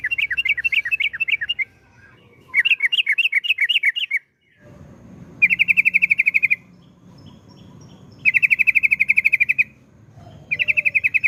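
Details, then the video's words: Yellow-vented bulbul delivering rapid 'ropel' trills to lure other bulbuls into song: repeated bursts of quick, pulsing chirps, some wavering and some flat and buzzy, each lasting one to two seconds, spaced by short gaps. "Kicauan Trucukan Gacor Suara ROPEL PANJANG MEWAH Ampuh UNTUK PANCINGAN TRUCUK LAIN AGAR CEPAT GACOR"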